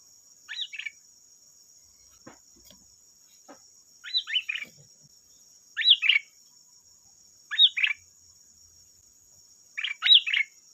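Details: Sooty-headed bulbul song used as a lure to draw replies from other bulbuls: brief burbling two-part phrases repeated roughly every two seconds, with quiet gaps and a thin constant high hum behind.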